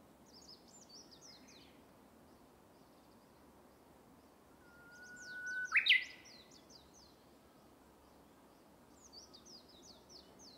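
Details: Uguisu, the Japanese bush warbler, singing in a bamboo forest: a short whistle jumps into a loud, abrupt, rising phrase mid-clip, with quieter high twittering from other birds before and after.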